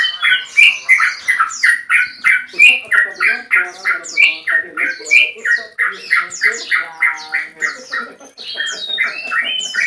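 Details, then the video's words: Male yellow-vented bulbul (trucukan) with long rapid song calling a rival: bubbly, gurgling notes about three a second in a long rolling run, with higher squeaky chips woven through. "BURUNG TRUCUKAN JANTAN ROPEL PANJANG MEMANGGIL LAWAN"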